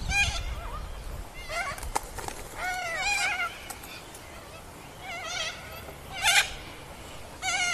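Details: Sulphur-crested cockatoos, white parrots, giving a series of loud, wavering, harmonic squawks in short bursts separated by quieter gaps, with a sharp burst near the end and low background rumble.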